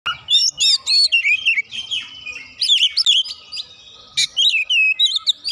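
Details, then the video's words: White-rumped shama song, a rival bird provoking it into full agitated singing: rapid varied whistles and sweeping slurred notes between 2 and 8k, tightly packed phrases with brief pauses, one sharp burst near four seconds. "KACER LAWAN LANGSUNG PANAS NAIK EMOSI BONGKAR ISIAN SEKALI PANCING"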